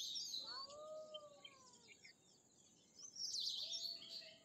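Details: Bimaculated lark giving harsh, high, chattering bursts at the start and end. Long, low, gliding whistles fill the middle.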